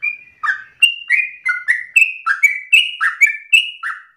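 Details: Sooty-headed bulbul pouring out a fast, determined 'narung ropel' song meant as lure and tutor material: crisp downslurred whistles alternating high and low, around three each second.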